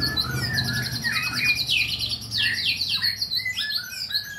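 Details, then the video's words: White-rumped shama in song training: a fast, rich medley of high buzzy trills, rapid ticking rattles and slurred whistles that sweep down steeply, delivered almost without pause, with a low murmur in the background. "murai latihan gacorr"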